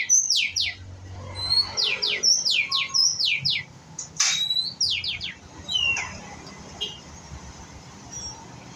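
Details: Juvenile white-rumped shama practising song, repeating steep, loud downward-sweeping whistles in quick bursts, with a few softer chirps and scattered faint notes toward the end.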